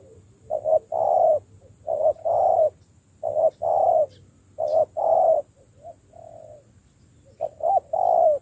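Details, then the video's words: Spotted dove trained as a decoy coos in a regular rhythm, short-short-long phrases repeated about every one and a half seconds, plus a quieter low coo between series. "tập bổi nổi mau thành mồi .thúc gù"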